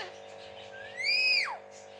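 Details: Pet parrot in West Bengal, described as a talking bird, makes a single strong whistle that climbs gradually, holds high for a moment, then falls sharply, set against a steady low hum indoors.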